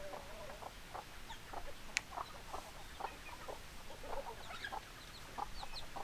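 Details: Hens clucking: many short, soft, clipped notes that overlap and repeat irregularly through the clip, with one sharp high click near the middle and a low background hum.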